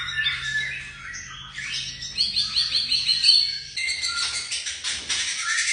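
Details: Young white-rumped shama singing a varied, rambling phrase of high chirps, quick twitters and short whistled notes that rise and fall. A faint low hum runs beneath.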